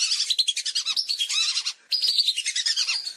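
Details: Hunting lure recording of lesser whistling ducks: continuous high, twittering whistles from several birds in fast overlapping series, broken by one brief gap before the chorus resumes.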